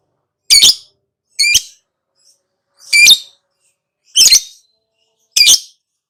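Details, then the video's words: Lovebird uttering five single harsh, high squeaky calls at uneven intervals of about one to one and a half seconds, with quiet between them. "KICAU TERAPI BURUNG LOVEBIRD LANGSUNG NGAKAK NGACOR NGEKEK"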